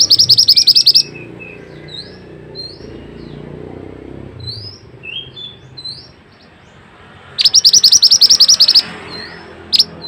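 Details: Pied Fantail, Indonesian training recording: loud runs of fast, bright chattering notes at start and near the end, with soft short upslurred whistles scattered between and faint low background rumble.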